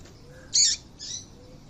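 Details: Call of a female Double-collared seedeater, meant to set males singing: a single bright, high, scratchy chirp followed by a quieter, lower-energy repeat half a second later.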